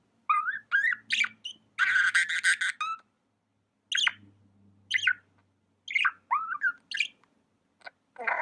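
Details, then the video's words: Pet budgerigar produces a string of swooping chirps and a dense scratchy chatter lasting about a second, with quieter chirps after a pause and a faint low hum in the background. "Amazing budgie chirping sounds"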